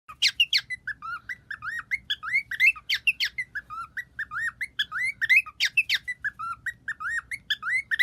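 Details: Bird making clicking sounds alongside its singing: rapid series of short clicks and chirps, with repeated upslurred whistled notes and sharp broadband clicks recurring every second or so, in a quiet setting.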